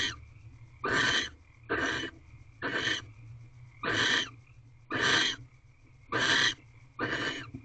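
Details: On the eighteenth night of mating, barn owls in a nest box at 5:40 am, 7 March 2023, give eight broad, raspy hissing screeches in quick succession, each short and noisy, roughly one per second, with a faint background tone.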